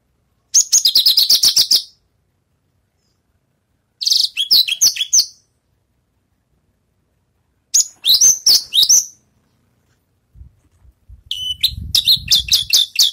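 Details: Javan bush lark that has just finished moulting, practising its songs: three separate bursts of rapid, buzzy chattering trills, high and dense, each about a second long with silent gaps between, and a low rumble near the end.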